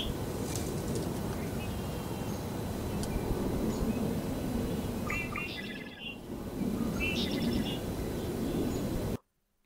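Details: Red-winged blackbird, an early spring arrival in the backyard heard from as early as late February, gives two short, buzzy, rattling phrases a couple of seconds apart, over a steady low background rumble.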